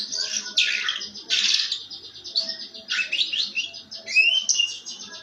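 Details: Canary giving a rough "ngeriwik" song used to coax other canaries into singing, in short harsh buzzy bursts and scratchy rattles broken by rising whistled slurs, with faint background hum.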